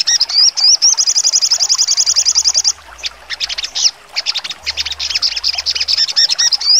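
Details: Sogon songbird singing sharply in full 'nembak tajam' style: a fast, high, evenly repeated trill of shrill notes, then scattered sharp chips and short whistled phrases, with no other sounds.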